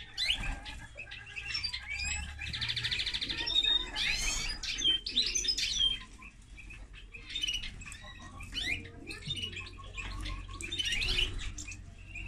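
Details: A long, rambling twittering song from a linnet-canary hybrid, mixing dense buzzy trills, sharp chirps and clear whistled phrases with brief pauses between bursts.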